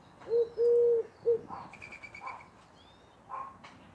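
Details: A Eurasian collared dove, or woohoo bird, calls for a whole minute. One full low coo phrase is heard, short then long then clipped, followed by quiet with faint chirps from other birds.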